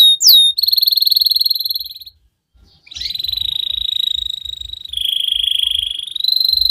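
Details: Canary in long unbroken song used to train young canaries: a quick upward flick, a level buzzy trill, a brief pause, then further rolling trills shifting slightly lower and back up in pitch.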